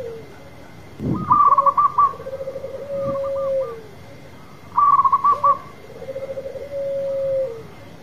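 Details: Local zebra dove (perkutut lokal) singing in full voice, a competition-style bird; two phrases of soft cooing, each opening with a quick stuttering burst, then a long purring, level trill, with a pause of about two seconds between phrases.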